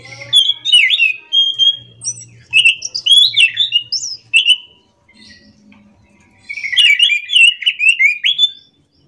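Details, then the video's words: Orange-headed thrush in morning song, pouring out fast, tumbling whistles and chattering trills in two long bursts with a short gap. A faint low hum and a soft buzzing note appear in the gap. "kicauan Anis macan gacor ngerol"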